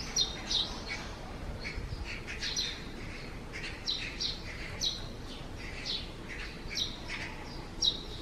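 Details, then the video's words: Eurasian tree sparrows coming out of their nest under the eaves on a cloudy morning, 4 June 2020, give short, bright chirps in scattered bursts, one or two a second, over a low steady rumble. "[참새]처마 아래 참새 집에서 나오다"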